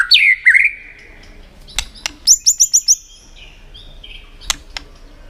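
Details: White-rumped shama with clicking tail-flick calls used to rouse a contest bird. A few descending whistles, sharp clicks, a quick run of five high notes, soft quiet whistles, and two more clicks.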